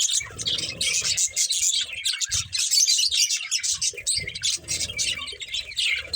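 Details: Several budgies at play give a dense, continuous chatter of high, scratchy chirps and warbles, with soft low thumps and knocks scattered underneath.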